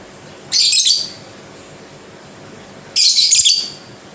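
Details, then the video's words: Lovebird producing two harsh, rasping chatter bursts, each roughly half a second long and about two and a half seconds apart, in a quiet room. "Lovebird Bunyi Pelan TAPI Pasti"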